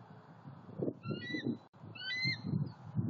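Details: Bald eagle pair at a Southwest Florida nest, November 23, 2020, with the female feeding on an opossum the male delivered; two bursts of high piping, slightly descending calls over soft rustling and thumping sounds.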